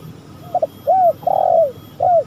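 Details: Spotted dove calling for use as a lure: a brief double note, a bowed low coo, a drawn-out burry croon that falls away, then one more arched coo in near silence.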